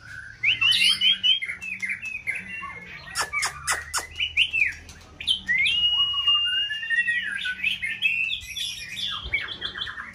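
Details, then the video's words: White-rumped shama in full breeding-season plumage, a caged contest bird, singing a varied song: sharp upslurred whistles, rich sliding notes around a long level whistle, and clicking chatter. "Kích chòe lửa bông hót đa diện"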